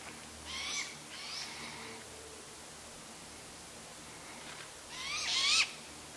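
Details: Young Great Gray Owl with a sibling calling to the parents: two clear, harsh, rising hissed screeches about five seconds apart, the second louder, with fainter raspy screeches between them.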